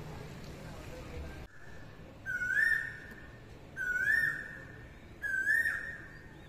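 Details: An Asian koel perched nearby, which kept falling silent whenever recording began, gives three loud, rising whistled notes about one and a half seconds apart, over a faint low background hum.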